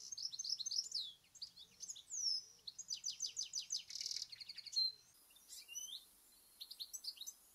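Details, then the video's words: European goldfinch, a UK garden bird, gives a bright, fast, high-pitched jumble of liquid twitters, tinkling notes and buzzy trills, continuous for several seconds, with faint background hiss. "Goldfinch (European Goldfinch)"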